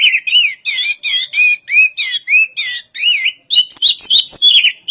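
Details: Orange-headed thrush (anis kembang) in continuous song: a series of short looping whistled phrases, each rising and falling, about three per second, followed by faster scratchy chattering notes toward the end; clean recording with no background noise.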